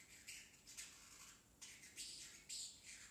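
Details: Pet parrotlet chick practising talking: a series of rough, breathy squawky syllables about twice a second, high and scratchy, in a small room.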